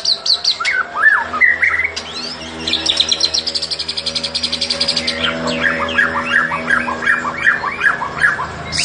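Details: White-rumped shama of a fighter type, singing in a fighting style: varied whistled phrases, then a fast run of buzzy high notes, then rising and falling whistles repeated in quick succession, with a low steady hum behind.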